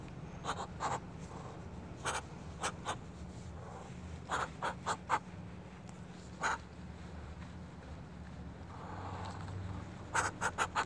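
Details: A pet Muscovy duck asking to be petted gives short, soft breathy puffs, singly and in quick clusters of two to four, against a low, steady background hum.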